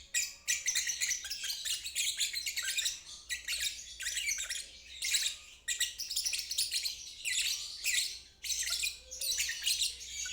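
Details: A lovebird's ngeriwik trill, meant as practice material for young birds and birds that have stopped trilling. Gritty, rasping chatter pours out in uneven bursts of one to two seconds separated by short breaks.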